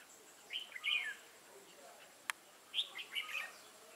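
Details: Wild-caught red-whiskered bulbul, recorded 22 October 2018: two warbled whistled phrases with slurred, bubbling notes, separated by a sharp click and a short pause.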